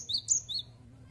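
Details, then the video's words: Cinereous tit in full song: three sharp, high slurred whistles in quick succession, a down-up 'wu-cit' pattern, then fading to quiet with faint low hum. "Gelatik Batu Gacor Wucit Wucit Suara"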